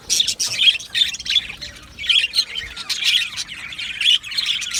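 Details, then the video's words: Colony of budgies in an aviary giving loud scratchy squawks and chirps in repeated bursts, over a steady background of softer twittering from other birds. "Budgie singing and chirping sounds"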